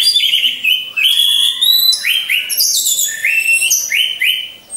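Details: Orange-headed thrush in a cage among others, delivering a lure song: high whistled phrases, then a series of repeated short rising notes about every half second.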